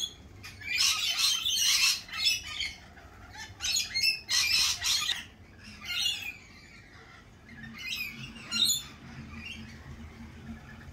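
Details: Harsh, broadband screeches from lorikeets at a cafe in springtime, loud rasping bursts in rapid succession for the first five seconds, then thinner scattered squawks over a low background hum.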